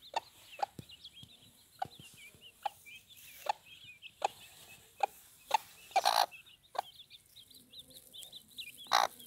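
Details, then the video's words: Mother hen guarding her chicks gives short, punchy clucks every second or so. A louder burst comes near six seconds, over a steady stream of thin, high peeping from the chicks. "mother hen protecting chicks"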